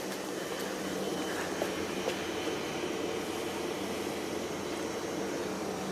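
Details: A constant rumbling drone like distant traffic or a passing train fills the air, with faint ticks and no animal calls.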